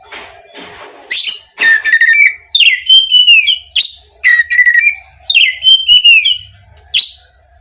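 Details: Oriental magpie-robin (kacer) song used as a lure to provoke other magpie-robins: loud whistled phrases with sweeping, rising and falling notes between harsh chirps, repeated in bursts every second or so.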